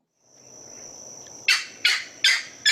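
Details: A Green Heron (Butorides virescens) gives four loud, harsh, raspy, somewhat dog-like calls about half a second apart, after a thin, steady, high insect-like whine.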